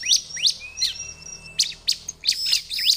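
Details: A Bar-winged prinia (Prinia familiaris) gives sharp, high chirps, about three a second, with a thin steady whistle running beneath them; its song is used as a lure call.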